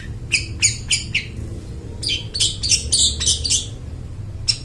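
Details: Long-tailed shrike singing, used as a lure to train mute shrikes: harsh broadband chattering notes in quick bursts, a run of four evenly spaced notes followed by a denser noisy cluster, over low background hum.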